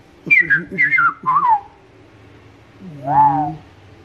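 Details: In Princeville, Kauai, Hawaii, 2015, a red-crested cardinal that often visited sings three quick groups of falling whistled notes, followed after a pause by a lower, drawn-out rising and falling sound.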